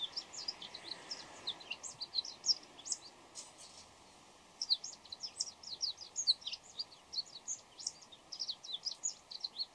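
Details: Before dawn, a Bull-headed shrike runs through a medley of voices: dense, scratchy, high chirps and twittering notes tumbling quickly, with a brief gap near the middle, over low steady hiss.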